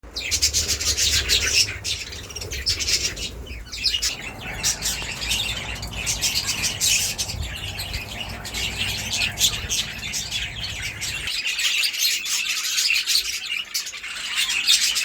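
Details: Budgerigars in a breeding aviary at feeding time chatter nonstop as a flock, a dense mix of high chirps, squeaks and warbling notes.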